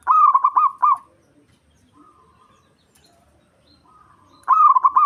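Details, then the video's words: Local zebra dove from Indonesia, used to rouse rival males. It gives a quick run of four or five throbbing, bubbling coo notes, then a pause, then a second phrase begins. "Perkutut Lokal Ampuh Buat Emosi Lawan"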